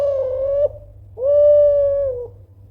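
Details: Loud Kelantan spotted dove call aimed at provoking rival birds to answer: two long, smooth, level coos separated by a short gap, each ending in a slight drop, over a low background hum.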